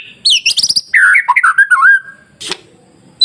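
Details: Masteran song of a white-rumped shama to goad other shamas: quick high chattering notes, then lower swooping whistled slurs, a sharp click and a final brief high note.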